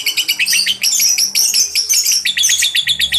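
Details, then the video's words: Rapid, high-pitched chirping from young lovebirds under five months, a recording played to draw lovebirds into replying; piercing notes tumble out roughly twice a second in an unbroken, slightly irregular run. "PAUD BALIBU langusng nyaut pancing lovebird"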